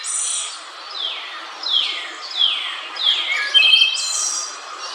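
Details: A Wood Thrush in Central Park, New York, sings a run of clear, high, downward-sliding notes about every second and a half, ending in a brighter, more tangled phrase.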